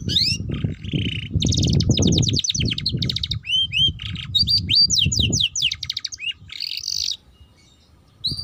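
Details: Canary singing, played as a lure to make young canaries sing and learn 'ngeriwik' chatter. Buzzy trills alternate with looping whistled slurs and rapid downstrokes, ending in a pause and one more note, with heavy low rumble.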